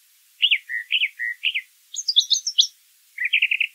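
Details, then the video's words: Brown thrasher song outdoors: a few paired two-note slurred phrases, then a higher cluster of sharp chirps, ending with a rapid trill of repeated notes. "Birds Singing - Brown Thrasher"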